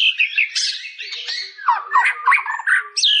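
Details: White-rumped shama pouring out a fast, jumbled sequence of chattering, squeaky and whistled notes, with dipping slurs and quick trills packed closely together.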